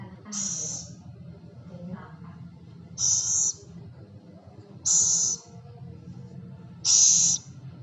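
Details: Scops owl (celepuk) repeating short, harsh, high hissing bursts four times, about two seconds apart, each near half a second long, with a faint softer rasp between the first two.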